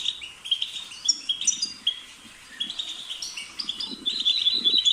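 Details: European goldfinch singing a rapid, twittering song of high tinkling notes and short buzzy trills, delivered in bursts with brief pauses; faint low rustling underneath.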